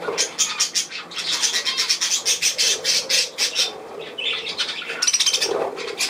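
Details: Continuous budgerigar chatter, a rapid stream of harsh, pulsing squawks repeated several times a second, easing slightly near the end before a final warbling surge.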